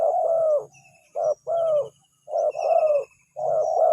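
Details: Spotted dove calling as a lure and drawing a response; close, loud coos in short-long pairs, the longer note sliding downward, with a low hum underneath and faint distant chirps.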